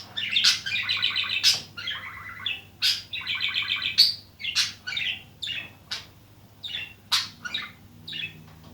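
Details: Budgerigars being introduced as a pair, a five-year-old and a seven-year-old male, chatter in quick, bright chirps and warbled bursts, several a second, with sharp squeaky notes. A faint low hum sits underneath.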